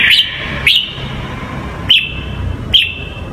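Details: Red-whiskered bulbul, Hue singing style, played for training young birds: four short, sharp rising whistled notes spaced about a second apart, each trailing into a faint sustained tone, above steady low background hum.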